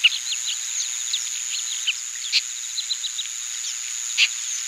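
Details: A flock of Oriental pratincoles, summer visitors breeding in Taiwan, recorded 20 April 2016: light chattering chirps throughout with louder harsh notes at about two and four seconds, over an unbroken high whine.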